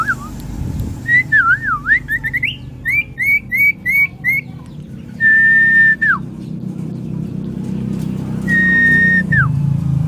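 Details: Sirtu fighter common iora singing wavering whistles and quick clipped notes, then two long, level whistles that each fall at the end, set several seconds apart. Low hum in the background.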